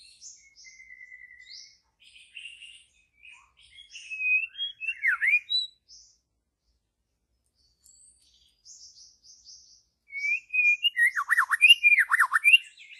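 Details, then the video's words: Wild white-rumped shama singing in deep forest: varied phrases of high chips and sliding whistles, a sweeping downward-curving note near the middle, a pause, then a louder burst of rapid, rich descending whistles. "murai asli hutan belantara memang beda.!!"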